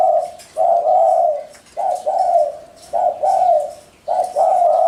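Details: Spotted dove cooing: low, mellow phrases held steady, a short coo followed by a longer drawn-out one, repeated in groups about every 1.3 seconds, with faint higher chirps behind.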